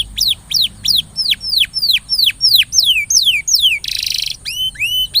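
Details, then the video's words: Singing canary used as a lure to get a reluctant canary singing: a series of loud downward-sweeping whistles about three per second, a short buzzy rattle, then rising, curling whistled notes. "paling jitu memancing kenari macet jadi lebih rajin bunyi ( pancingan kenari)"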